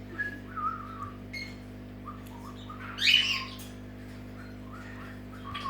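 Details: Wake-up call from a pet Senegal parrot: soft short whistled notes spread through the clip, one louder harsh squawk burst in the middle, and a rising whistle at the end, against a low electrical hum.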